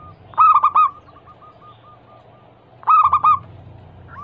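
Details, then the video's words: Female local zebra dove (perkutut) calling a male, played as a lure for trapping and to make other doves answer. Two loud, rolling, stuttered coo phrases about two and a half seconds apart, with faint trailing coos between them. "Atasi burung perkutut MACET BUNYI - Pancingan Manjur Langsung Nyaut"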